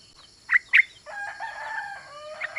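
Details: Female Yellow-vented Bulbul calling the male, used as a lure to get males singing: two sharp high chirps, then a bubbly, warbling phrase of steady tones held for over a second, ending in brief high notes.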